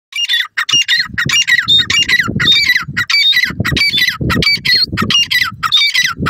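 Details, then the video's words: Grey francolins, male and female, calling together: loud, harsh, squawking notes with bright rising and falling harmonic tones, repeated rapidly about 98 times a minute in a steady chorus, with low thumping and rustling beneath. "Grey Francolins Male and Female Calls"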